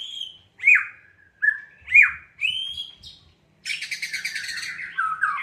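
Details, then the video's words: Loud white-rumped shama song played to stir a caged bird into singing: ringing whistles that slur sharply up and down, then a burst of rapid scratchy chatter and more falling whistled phrases. "pancingan murai batu malas jadi ikut gacor"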